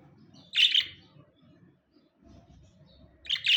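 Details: Two pet budgerigars; a short burst of harsh, chattering high chirps opens, then a low murmuring background fills a pause before a second scratchy chirp burst closes.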